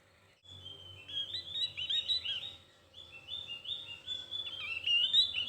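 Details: Javan white-eye giving its thin, fine twittering ('cuitan tipis'): a rapid, high-pitched stream of tiny chirps and trills running almost continuously, pausing briefly midway before resuming, over a faint low hum.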